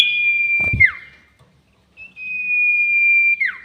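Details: Sirtu bird giving its long whistled call, used as a lure for trapping birds: a steady high whistle held over a second, ending in a quick falling slur, then a second long flat whistle begins after a short pause.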